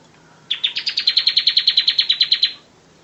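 Bar-winged prinia song: a bright, high trill of about sixteen sharp, evenly spaced notes, roughly eight per second, lasting two seconds over a faint low hum.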